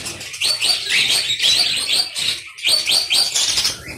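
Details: Aviary colony of budgerigars: rapid, repeated bright chirps and warbles in pulsing groups, with one short quiet break midway.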